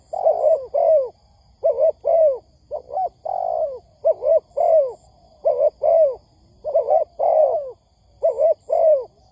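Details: Spotted dove cooing, used as a lure recording for dove trapping: rapid series of low, mellow, arched coo notes in groups of two or three, repeating steadily with short gaps, plus faint high chirps in the background.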